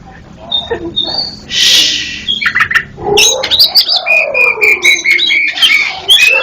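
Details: East Java black-breasted magpie-robin, a local native bird also found on Bali, recorded as a training master song; rich run of clear whistles and quick chirps, a harsh rasping burst early, then evenly repeated sweet notes.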